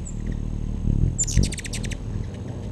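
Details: Backyard feeder hummingbirds, recorded in September: a thin high squeak followed by a rapid run of about eight sharp descending chips, then quiet, with low hum underneath.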